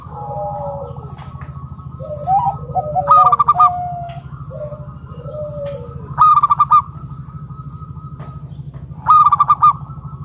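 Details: Local wild zebra dove calling to draw other doves into song: lower warbling coos, then three bursts of rapid pulsed cooing spaced about three seconds apart, over a steady low hum.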